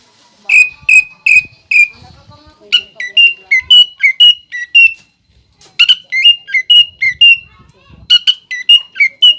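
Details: Greater green leafbird, singing actively with pelatuk bawang fills, gives four steady whistled notes, then quicker series of clear whistles rising and falling in alternation, with faint background noise.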